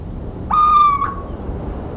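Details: Single little owl note recorded in central French countryside on 17 March 2019, a plaintive, nasal whistled hoot lasting about half a second, steady in pitch with a slight drop at the end, against faint low rumble.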